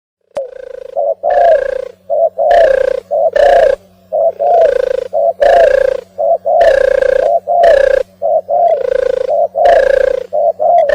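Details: Oriental turtle dove, described as a migrant, cooing: deep, soft, purring coos in repeated phrases of two or three notes, about one phrase per second, broken by short rough noisy bursts.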